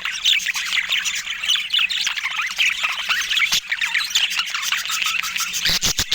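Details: Pet budgerigars keep up a busy flock chatter of squeaky chirps, warbled notes and short squawks, overlapping without pause, with a low steady hum underneath and a few sharp clicks near the end.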